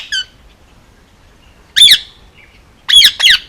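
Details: Squawking male Indian ringneck parakeet, hand-fed and almost two years old, on Oahu, Hawaii: one short harmonic call, then a silence and three loud, raspy, shrill squawks close together near the end.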